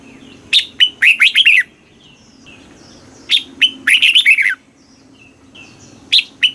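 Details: Thai cage-kept red-whiskered bulbul, southern master-style song for arousing other birds and teaching young ones: lively bursts of five or six bubbly whistles, with a sharp starting note, repeated after brief pauses.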